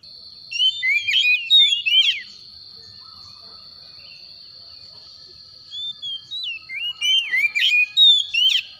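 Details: Oriental magpie-robin calling in the morning: two bursts of loud, sweet whistled notes that slide up and down, separated by a quiet pause of about three seconds, over a steady high thin whine.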